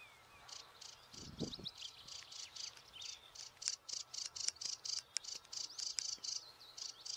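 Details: Noisy sedge warbler (Acrocephalus schoenobaenus) calling from reeds at St Fittick's Community Park, Torry: rapid chattering run of harsh, high buzzy notes, about four per second, with a brief low rumble near the start.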